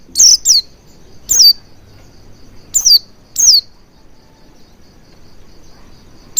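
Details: Oriental white-eye sound played as a lure to get another bird singing quickly with its beak wide open: an opening pair of high, thin, descending chirps, then three more and a final clipped note, with quiet gaps between.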